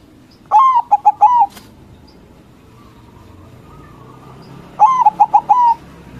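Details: Local white zebra dove in loud song intended to make rivals answer: two cooing phrases about four seconds apart, each a long note then several short rapid coos, with quiet background between.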